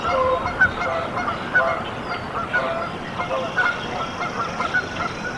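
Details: Canada goose at a nest in Decorah, Iowa, USA, on 14 April 2024, as goslings hatch; repeated honking calls roughly once a second over a steady noisy background.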